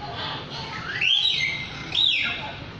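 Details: Lyrebird giving ringing whistles that climb steeply and then fall away, two strong phrases a second apart, with softer notes before them and continuous low background noise.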